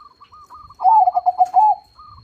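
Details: Perkutut, the zebra dove, giving a loud song: faint high clipped coos, then a strong burst of quick rolling, throbbing coo notes, then soft clipped coos again, with a thin steady high tone.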